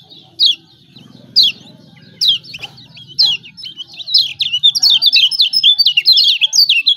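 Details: Lemon-bellied white-eye from Lombok, a lure for birds reluctant to sing: sharp descending high chirps spaced about a second apart, then a fast run of tumbling high twittering notes; faint low hum underneath.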